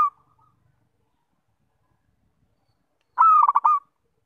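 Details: Zebra dove with a melodious voice giving a single strong coo phrase after near silence: a long opening note, then a quick series of bubbling pulses lasting under a second.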